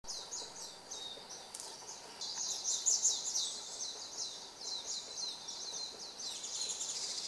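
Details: Varied tit on 3 October 2014 gives thin, very high chips and twitters, close to three a second, bunched in short bursts over a soft background hiss.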